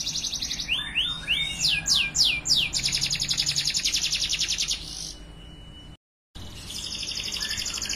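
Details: Timbrado Español canary training song: short trills and a burst of swooping downward notes lead into a long, rapid, even high trill that fades, a brief break, then a further fast trill.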